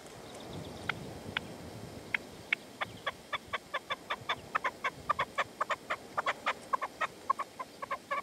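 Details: Partridge and decoy (reclamo) at sunset in the sierra, Manzanares, 27 February 2014, where the male would not come in; scattered scratchy notes building into a steady, rapid series of grating calls.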